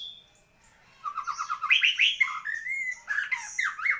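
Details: A lone high note, then a White-rumped shama bursting into a quick string of repeated notes followed by varied whistled and chattering phrases.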